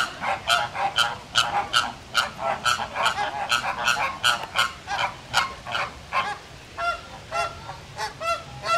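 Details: Resting flamingos, woken when a nearby Canada goose suddenly honks, break into a squabble of harsh, nasal, goose-like honks, about two a second, overlapping into a clamorous chorus amid feigned pecking.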